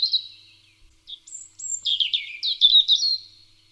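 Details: On 2 May 2020, a European robin sings a varied, high, thin warble of quick tumbling phrases and sweet drawn-out notes, with short pauses between, over a quiet background.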